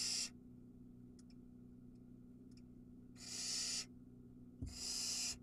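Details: Barn owl nestling on an Israeli nest cam at Ram-on begging at feeding: three harsh hissing screeches with a few faint ticks between and a thump before the last, over steady hum.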